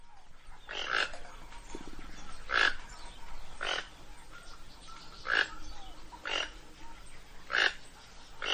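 Toco toucan giving harsh, rasping croaks, one roughly every one to one and a half seconds, each a short burst with a faint quieter background behind.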